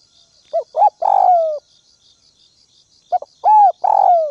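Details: A ground decoy spotted dove coos to stir up wild doves: quick short notes lead into a long, burry coo that falls away, the phrase given twice with a pause between, a thin high buzz running throughout.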